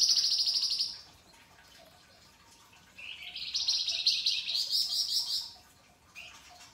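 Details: Singing pied triller, a masteran tutor recording with rough rasping and sharp crystal-clear delivery: a harsh buzzy burst, a two-second pause, then a long rising grating phrase of about two and a half seconds, and a brief final rasp.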